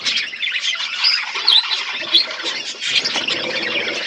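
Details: Aviary budgerigars in a forest setting chirp together, a busy wash of high twittering notes with a few sharper whistled squeaks rising above the chorus.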